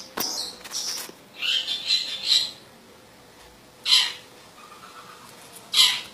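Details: Long-tailed shrike from Madura in lively song: loud, harsh, grating bursts of about half a second, separated by pauses of one to two seconds, with sharp clicks at the start.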